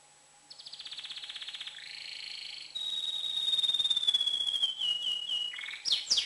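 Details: Excited, tamed male canary singing to prepare females for breeding: a rapid pulsed trill, then a long rolling tone that slowly falls in pitch, ending in quick high downslurred notes.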